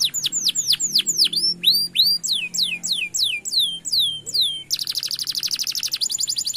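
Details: Canary song used as a lure to get non-singing canaries to start: repeated high downward-swooping whistles in quick phrases, switching near the end to a dense, rapid buzzy trill.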